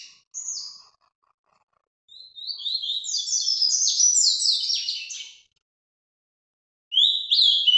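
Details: Ultramarine grosbeak from a Brazilian breeder, singing in the Paraná vinte vinte style: a short high note, a pause, a three-second rush of rapid sliding whistles, silence, then a new phrase beginning.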